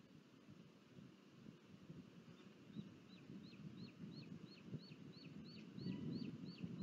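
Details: Booted eagle at a nest in Sierra de Guadarrama National Park, Spain, 23 July 2022, as the father delivers food and the young eats alone; thin, high whistled notes with hooked falling ends, about three a second, over low wind rumble.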